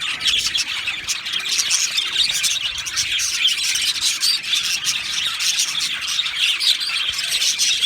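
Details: A constant high chatter from two male Australian budgerigars: tight squeaky chirps and warbled twitters running together with little change across the stretch.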